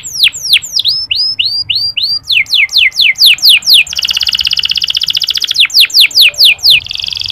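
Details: Local canary sings fast, high, falling whistled notes in quick series, broken by a long rolling trill and a final buzzy trill.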